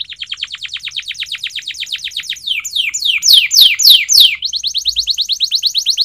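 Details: Canary training song, built from quick rolls of downward-slurred notes that speed up, turn into louder, longer high swoops, and end in a fast even trill.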